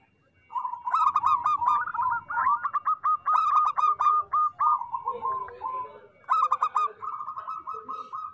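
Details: Local zebra dove in full song, played to stimulate lazy doves and moulting birds to sing: loud stuttered notes roll into a long trilled coo, followed by a lower murmur and a second quick stuttering phrase.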